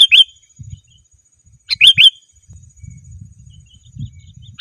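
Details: Sooty-headed bulbul calling rivals: short bright two-note chirps come roughly every two seconds, over a faint low rumble of background noise.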